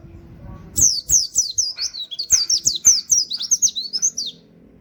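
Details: Oriental white-eye giving a rapid 'nembak' song with canary-like 'wit wit' notes, meant as master recording for training songbirds: around three and a half seconds of quick, high, down-slurred whistles, with a soft low hum behind.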